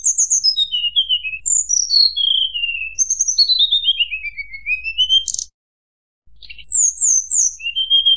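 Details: Mountain tledekan song meant to stir rival birds: long cascades of whistled notes falling in pitch, a sharp high burst, a pause, then high slurred notes and a steady rising whistle.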